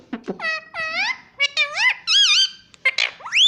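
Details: Pet parrot saying "mummy": several bright, high, harmonic syllables that sweep and waver, with short gaps between them and a rising note at the end.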